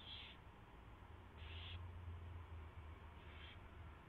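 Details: Owl at its nest at 4:21 AM on 24 February 2016 as a mouse is delivered and fed; three brief harsh high calls roughly every 1.5 seconds, the last fainter, above a low hum.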